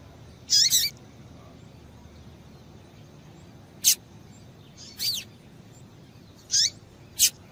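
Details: Rusty-collared seedeater female giving calls meant to make males sing: a high twittering double note, then four sharp, thin chirps at uneven intervals, some with a downward slurred tail, over light hiss.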